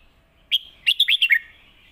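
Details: Red-whiskered bulbul, a competition bird, sings its clear master song for young birds to copy: a bright lead note followed by a brisk cluster of whistled, bouncing syllables that ends in a faint lingering tone.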